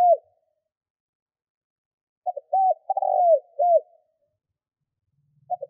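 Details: A lure spotted dove cooing to provoke wild doves: one full phrase of clipped opening notes, a rolling drawn coo and a sliding final note, with the tail of a previous phrase before it and the start of the next after.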